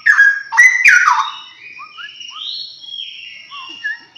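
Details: A pair of straw-headed bulbuls singing: loud, rich, bubbling whistled phrases at the start, then long sliding whistles rising and falling, with a few short lower notes.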